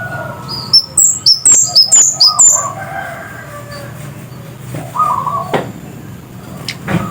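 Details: Scarlet-headed flowerpecker, called cit kersen locally, in full voice: a rapid burst of about seven piercing high tsit notes within two seconds, followed by quieter lower whistles and sparse clicks.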